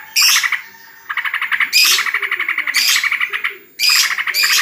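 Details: Yellow-vented bulbul (trucukan) at a bird contest held at home during the coronavirus holiday. Loud bursts of rapid, harsh chattering notes, a few seconds apart, with bright buzzy overtones and a faint lower tone underneath.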